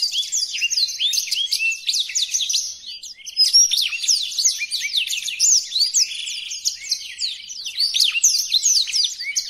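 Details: Blackthroat song recorded as tutoring material for training other songbirds, one of five stated variations: a fast, unbroken stream of high twittering notes, sharp down-slurred chips and short sweeps with a brief dip in volume midway.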